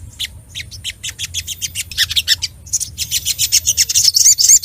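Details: Ruby-cheeked sunbird singing emotionally to find an opponent: a quick series of high, dry chip notes that builds into a dense, shrill, rapid twitter.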